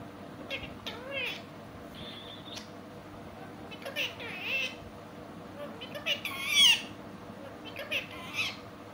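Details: Parrot talking sweetly, giving loud, bright, speech-like phrases with rising and falling harmonic syllables and a few sharp squeaky notes, spaced irregularly over a low indoor hum.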